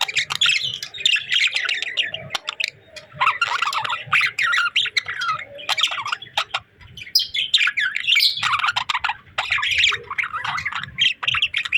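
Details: Budgerigars chatter almost without pause: dense warbling, scratchy chirps and squawky notes in bursts a second or two long, separated by brief quiet gaps, with a soft low rumble underneath.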